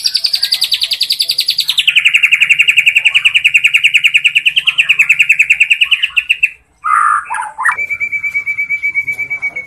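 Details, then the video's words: Energetic song of a young caged white-rumped shama: a long rapid rattling trill sliding lower, then a short burst of notes and a steady buzzy pulsed note. "Murai batu trotol tembak isian cerucuk bikin emosi ribut"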